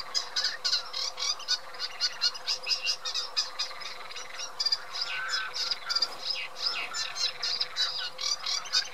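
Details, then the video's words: Dense, continuous chattering song of a Eurasian reed warbler: rapid scratchy notes and churring bursts tumbling together for several seconds, backed by a steady low hum. "Cserregő nádiposzáta"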